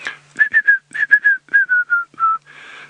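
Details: Male Red-crested Korhaan calling on a late-afternoon safari drive on 6 March 2017, near a female with a tiny chick in the grass; about ten clear whistled notes in short runs, each slightly lower than the last, ending in a soft hiss.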